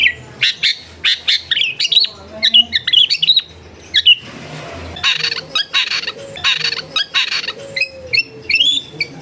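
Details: Long-tailed shrike in a densely populated area, in a recording used to coax lazy birds to sing: short sharp chirps and twittering phrases repeat with brief gaps, and a soft rushing noise sounds midway.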